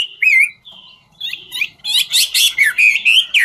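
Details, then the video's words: Chinese hwamei of the "ngũ trường" singing style, singing as it dances: long clear whistles and slides, then a fast train of bright, rising and falling whistled notes. "Họa mi ngũ trường hót múa cực chất"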